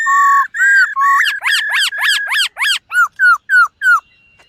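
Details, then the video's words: White-cheeked laughingthrush, caged, rehearsing its morning song: three long clear whistles, a run of rapid V-shaped rising and falling notes, then five evenly spaced downslurred whistles. "Khướu BẠC MÁ hót MÚA luyện giọng . Khướu hót sáng luyện giọng kích bổi"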